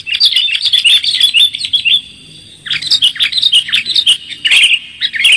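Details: Sooty-headed bulbul in clear-voiced lure song, giving bright, rapid chattering chirps, about two per second, with a short pause midway before the bubbly notes resume.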